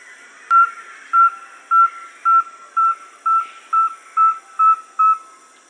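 Rusty-belted Tapaculo giving ten clear, level, mid-pitched whistles, evenly spaced about twice a second, over a faint high insect hiss.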